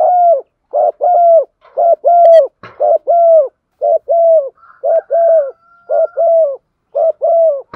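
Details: Female spotted dove calling to stir up a male, a steady run of paired low coos, a short note then a longer one, repeated about once a second, with faint clicks between.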